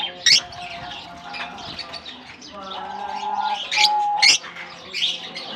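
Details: Lovebirds exploring a colony after release in summer, Germany: a few sharp, high chirps over a background murmur and a brief steady whistled tone.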